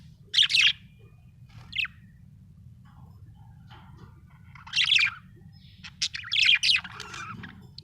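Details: A happy budgie chirps in lively bursts: scratchy, warbling, high notes in clusters of about half a second, separated by quiet gaps, with one brief thin note in between and a low hum underneath.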